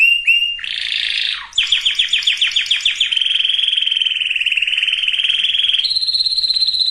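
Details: Canary song used to prepare females and males for breeding: brisk rising notes, a harsh buzzy roll, a rapid series of falling pulses, then a long steady rattling trill shifting to a higher held tour.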